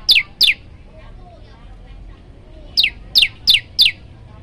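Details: Yellow-bellied Prinia singing varied song: sharp, high, steeply falling notes, a pair, a pause, then four more at an even, quick pace.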